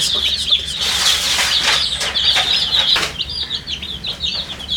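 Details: Thirsty baby chicks in coloured down chirp for drinking water: loud, crowded high peeps with rustling bursts, thinning near the end into separate rising cheeps.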